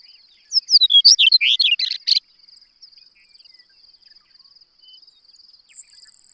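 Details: Single bright warbling phrase from a chestnut-collared longspur, a shortgrass prairie bird, with jumbled downslurred whistles over roughly one and a half seconds, then a continuous high-pitched insect trill with pulsing background chirps.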